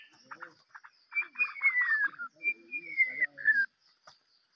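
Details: White-rumped shama used for luring, giving quick chattering notes, then long sliding whistles falling in pitch, repeated twice, over faint low background sounds.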